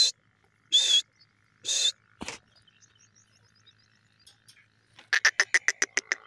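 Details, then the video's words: A francolin (teetar) gives three harsh, grating bursts, then a quick run of about eight scratchy notes, each a fraction of a second apart. "lovely Teetar birds voice ,sweet teetar ki awaz"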